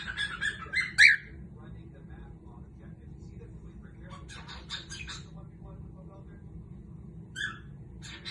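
A cockatiel chatters in bright, warbling chirps, with one loud rising whistle near the start.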